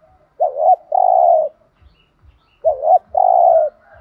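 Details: Spotted dove giving two thúc gù coo phrases in the thổ đồng style, about two and a quarter seconds apart. Each is a bouncing double note leading into a longer flat, husky coo, with a few faint low taps.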